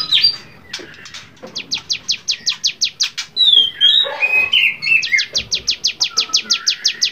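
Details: Varied song of a bar-winged prinia (cigun) used as a training recording for songbirds: steady runs of quick, piercing descending notes, interrupted midway by loud, sweeping whistles and chattering, then resuming the rapid series.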